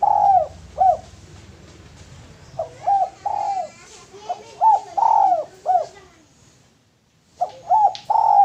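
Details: Cooing male spotted dove, a lure bird, repeating phrases of short and drawn-out mellow arched notes about twice a second within bursts, with a brief silence before the coos resume.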